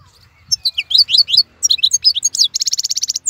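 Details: Wild European goldfinch singing in moult season: twittering high notes after a little low background hum, ending in a rapid buzzy rattle of evenly spaced notes.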